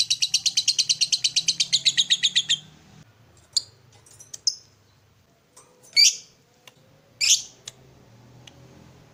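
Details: Lovebird chattering in a morning stimulating recording for other lovebirds: a couple of seconds of rapid, shrill pulsed notes, then silence broken by a few separate sharp chirps and squeaks.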